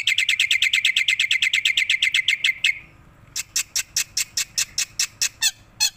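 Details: Head-bobbing tame black-winged myna in full song: a quick train of bright, ringing chirps for nearly three seconds, a pause, then slower, separated sharp notes.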